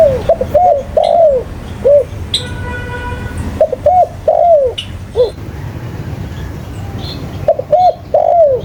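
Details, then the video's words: Spotted dove calling vigorously: short rising-falling coos in quick pairs, then a longer drawn-out slurred note, phrases repeated every few seconds, with faint chirps of other small birds and low background rumble. "Burung Tekukur Paling Gacor"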